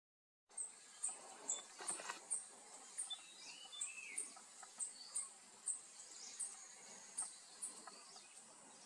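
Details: Speckled piculet recorded on 21 April 2022 at a bird campsite in Koyna Wildlife Sanctuary, Western Ghats, India: very high, thin, sharp notes repeated irregularly about twice a second over a faint hiss of background insects and other distant bird calls.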